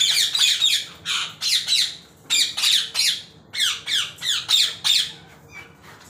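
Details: A violet ringneck (rose-ringed) parakeet gives harsh, grating squawks in quick bursts, about three per second, loud and high-pitched, with a faint hum in the room behind.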